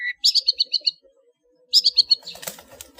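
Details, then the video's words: Long-tailed shrike singing in the clear, full-fill style called ngeplong full isian, used as a master recording for training cage birds: a high note, then two quick bursts of five or six buzzy chattering notes, ending in scratchy noise. "SUARA BURUNG CENDET NGEPLONG FULL ISIAN"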